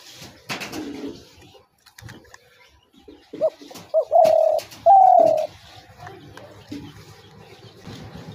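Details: Spotted dove call played to lure doves into traps: short hoots and two long, bright coos in the middle, set against a busy background of clatter and low rumbling.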